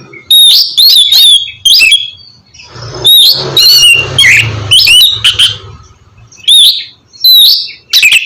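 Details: Oriental magpie-robin song played to coax a bird into singing, with loud whistled phrases and harsh scratchy bursts separated by short pauses, a low hum beneath the middle section.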